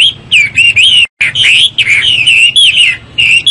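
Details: Chinese hwamei giving clear, loud whistled song, short rich phrases with rising and falling slurs and brief pauses between them.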